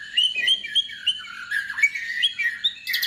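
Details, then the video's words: Energetic white-rumped shama song used to spur other shamas to sing: a continuous, rapid warble of short whistled notes wavering up and down, with a bright burst at the end. "murai batu gacor AMPUH UNTUK pancingan murai batu agar bunyi"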